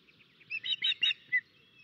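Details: Osprey alarm during a crow attack on its nest in Estonia, May 2024: a short run of four loud, clipped, high whistles packed within one second, with the last note standing slightly apart.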